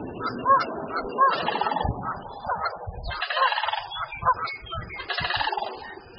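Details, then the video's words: At their nest one morning, a female Sandhill Crane calls as a mule deer comes too close, and the returning male joins in, loud, rolling, rattling calls in uneven bursts about every second, with harsh, trumpeting overtones. "Sandhill Cranes Call"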